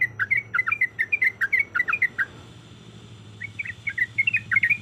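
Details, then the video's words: Yellow-vented bulbul female, breeding and calling a male. A fast burst of bubbly, dipping notes breaks off for about a second, then a softer run of similar chattering warbles resumes. "Suara Ropelan Trucuk Gacor Yang Ngotot Memanggil Lawan"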